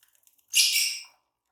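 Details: Green Fischer's lovebird of a pair uttering a single strident, scratchy, high-pitched squawk about half a second long after faint clicking sounds.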